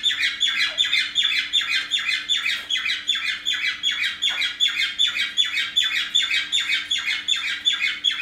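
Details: Indoor pet parrots on a morning, the females doting on a male with a bandaged broken wing; a steady stream of harsh, downward-sweeping chirps repeated about two and a half times a second throughout.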